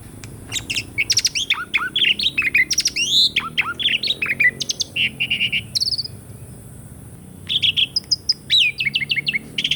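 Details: Asian pied starling song recorded as a lure for birds that have stopped singing: dense run of sweeping whistles, harsh rasps and chattering notes, a brief pause, then rapid bright whistled phrases.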